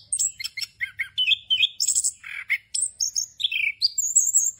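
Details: Anis kembang singing a fill-rich rolling song meant to train other birds: chattered notes, a buzzy mid-pitched rattle, then clear sustained high whistles and a sliding downward phrase, delivered in quick bursts.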